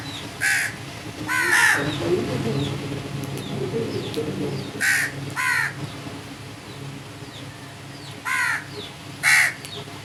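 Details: Harsh crow caws come in irregular bursts, singles and pairs across ten seconds, with faint high chirps of smaller birds and a low murmur in the background.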